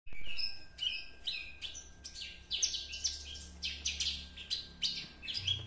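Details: Two-month-old juvenile Javan Horsfield's bush lark, speckled young bird, already imitating its master song learned from another bush lark; short whistled and chirping phrases at high pitch, some rising slurs, in bursts with brief gaps, over a faint low hum.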